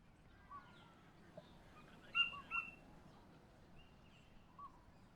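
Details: A Torresian Kingfisher (formerly Collared Kingfisher) on a sunny day at the northern end of the Cairns esplanade, Queensland, Australia, with the tide going out, gives a pair of sharp, high, clipped notes about half a second apart, with faint chirps over steady hiss.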